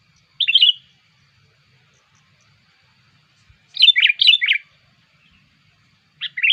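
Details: Sooty-headed bulbul lure call meant to attract bulbuls: brief liquid chirp, then a longer run of cheerful, bouncing warbled notes, and another short phrase at the end; otherwise silent.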